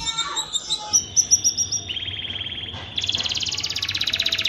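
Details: Canary mating-lure song: soft high twitters and a thin held whistle, then a long, fast, buzzy trill of evenly pulsed notes building toward the end.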